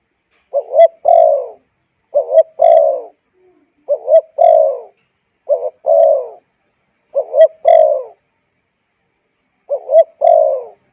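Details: Repeated spotted dove call, used to train decoy birds and lure wild ones: six identical phrases, roughly every one and a half seconds. Each has a short bubbling double note and then a longer, drooping coo, in clean quiet surroundings.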